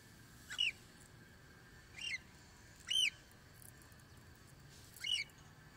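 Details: Cockatiel singing, part of a recording meant for teaching young birds to sing: four short, sharp whistled chirps that rise then dip, spaced roughly one to one and a half seconds apart against a steady faint background hiss.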